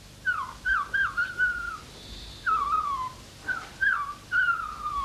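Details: A young pet common starling in Corsica, chatty in its cage after a bath, gives clear whistled phrases, each sliding downward, in bursts of about half a second, with short pauses between them over a quiet background.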